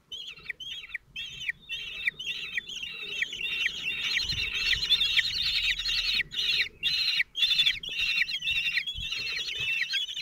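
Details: Common kestrel family at a nest in Théding, France, on 27 June 2023, with the male feeding four 17-day-old chicks that are fairly calm. Dense, shrill, repeated chevron-shaped calls come about twice a second, overlapping and swelling toward the middle.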